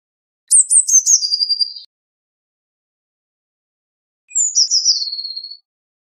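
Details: Eurasian blue tit singing two separate phrases: each opens with a few very high, thin notes and then drops into a fast, slightly lower trill lasting about a second. Long silent gaps between phrases.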